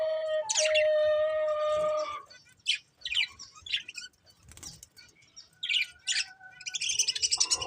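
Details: Colourful budgerigars, a caged breeding pair, give a long steady harmonic tone, then a run of quick, sharp, high chirps and warbled notes with short gaps between them.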